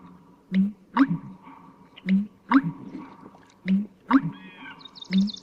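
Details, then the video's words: American Bittern giving its loud, distinctive three-syllable pumperlunk, calling often early in the season and carrying a couple of kilometres in calm conditions; deep gulping booms repeat about every one and a half seconds, with a faint sparrow trill behind. "it's a three-syllable pumperlunk, or there's some other"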